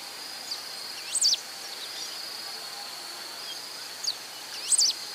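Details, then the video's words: Pale-throated pampa-finch in Rio Acima, Minas Gerais, Brazil, giving brief high-pitched squeaky song phrases, one early and two near the end, against a constant shrill insect hum. "Rabo Mole da Serra (Embernagra longicauda)"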